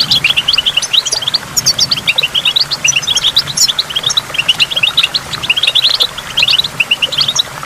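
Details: Near a waterfall, a goldfinch pours out an even, rapid series of liquid twitters and chirps with a few higher squeaky notes, over faint falling water.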